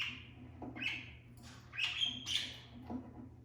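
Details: Five pet budgerigars in a cage with a new nesting box give scratchy, squawking chirps, with soft knocks and taps from one bird inside the nesting box.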